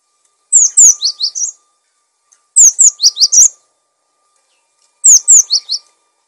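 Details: Cinereous tit singing, recorded for training and luring other birds: three bright bursts about two seconds apart, each a quick run of high, downslurred whistled notes dropping then rising slightly, in a quiet background.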